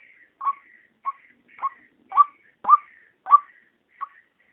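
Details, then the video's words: Daytime lure recording of a female white-breasted waterhen: seven clipped croaking notes in under five seconds, unevenly spaced, each with a short bent upper tail. The background is quiet. "SUARA PIKAT RUAK RUAK SIANG PANCINGAN KE-2 | SUARA BETINA"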